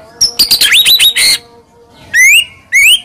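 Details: White-rumped shama song used as a provoking lure: a jumbled burst of high varied whistles and chirps, a quiet gap, then two clear rising whistled phrases.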